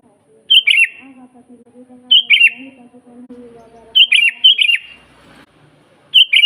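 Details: Sooty-headed bulbul in lively natural song used as a training master: short two-part whistled phrases repeated roughly every one and a half seconds, over a continuous faint low droning tone.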